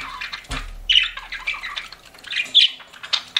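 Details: Pet budgies giving scattered short chirps and squawky notes, with a low thump early on and quiet gaps between calls.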